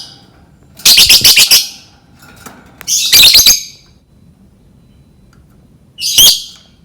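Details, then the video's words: Lovebird sounds played to lure lovebirds into learning to sing: loud bursts of shrill, harsh, rapidly repeated chirps in three separate clusters, with quiet gaps between them. "Suara lovebird Memancing burung lovebird belajar berkicau"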